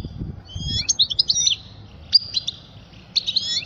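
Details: Song of a European goldfinch, used to teach young birds, with quick liquid twitters and short sweeping notes in three bursts separated by brief gaps, little background noise.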